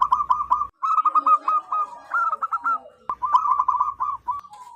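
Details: Loud zebra dove call meant for luring its kind: rapid, bubbly cooing notes strung together in a continuous patter, partly overlapping, with low hum in the background at times.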